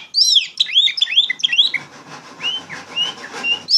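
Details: Oriental magpie-robin (kacer) 'ngeplong gacor' training song for young birds: a quick run of bright looping whistles, then sparse softer slurred whistles over a steady rasping background hiss.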